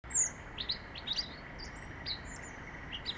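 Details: A European robin in London sings a thin, high, wistful phrase of quick varied notes and a drawn-out whistle, over a soft background hum.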